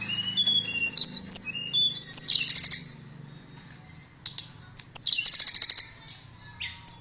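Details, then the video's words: Tledekan (blue flycatcher) song for tutoring songbirds: lower whistled notes answered by high upward slurs and bursts of rapid tinkling, a pause, then more fast high jingles. "Kicauan Merdu TLEDEKAN Keren Buat Mastro Voice Tledekan Gacor"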